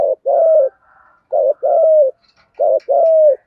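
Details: Lure coo of a spotted dove in the 'giọng thổ' voice, used to excite other doves. Three rapid phrases about a second apart, each a short low note followed by a longer, steady coo that dips at its close.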